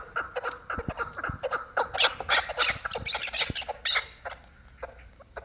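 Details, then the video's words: A group of hybrid and local chukar partridges gives busy, scratchy cackles in quick bursts, rising and falling in loudness before fading at the close. "Кабки гибрид ва махали"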